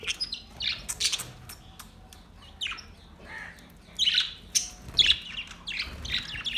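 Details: Several budgies chattering in a relaxed mood, with scratchy squawks and short chirps in uneven bursts; calls sit mostly in a high register, some notes sweeping downward, louder clusters near the end.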